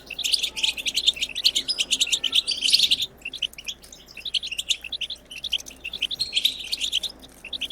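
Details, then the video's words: Wild twittering of a European goldfinch, used to encourage goldfinches to sing. Fast liquid chirps and jingling trills run in a steady stream with a short gap near the middle, over a quiet low background hum. "بتبتة خلوية جديدة لتحفيز الحسون على التغريد بتبتة خلوية لتحفيز طيور الحسون"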